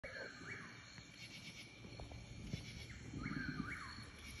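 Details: Chuck-will's-widow calling at midnight in Georgia, a song often mistaken for a whip-poor-will's: faint phrases of slurred, rising-and-falling whistles, two heard about three seconds apart, over steady insect hum and night noise.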